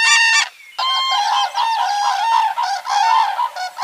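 Common cranes give loud, trumpeting, rolling calls. One clear blast opens, then several birds call over one another in a ringing, overlapping chorus.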